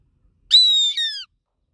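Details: Goshawk calling: a single loud, high, whistled squeal lasting under a second, holding steady then dipping and falling slightly at the end, with a rich harmonic edge. Background otherwise quiet.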